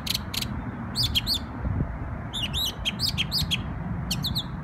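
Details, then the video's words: Memorial Day birdsong in New York: short clusters of bright, high, curving chirps delivered in quick groups with brief pauses between them, over a faint low rumble. "NY Bird Sings Beautiful Songs on Memorial Day"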